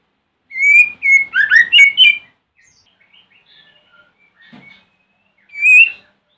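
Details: White-rumped shama singing in the morning as a provocation lure for rival shamas: a rich run of whistled and warbled notes, a quiet pause with faint soft chips, then one rising whistle.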